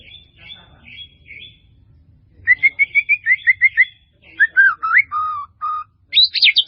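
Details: Melodious full-isian song of a white-rumped shama used for song training: soft whistled opening phrases, then a fast series of clear repeated notes, slurred descending whistles, and a high chattering burst at the close.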